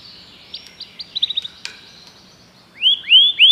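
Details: Common canary song: soft, scattered chirps and short notes, then three loud, clear upward-swooping whistles in quick succession at the end.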